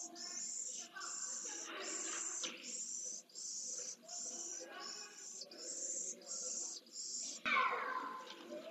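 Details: Pallid swift nestling, a single chick, being fed at Jerez de la Frontera, Spain, on 15 September 2022, giving shrill, buzzy, high-pitched begging calls in repeated half-second bursts with brief gaps, over rustling nest noise.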